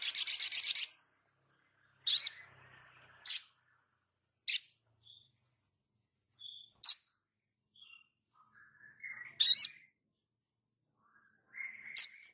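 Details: Crimson sunbird in full song, a caged songbird delivering a long high chattering burst followed by several short sharp buzzy notes spaced irregularly, with thin faint whistled notes between them.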